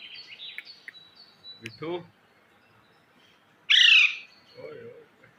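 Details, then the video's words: Parrot in a talking-parrot recording: thin high chirps and a short low voice-like burst, then a brief quiet gap before one loud, harsh, rising-then-falling squawk, followed by a softer low murmured voice-like phrase. "talking parrot videos | totay ki awaz"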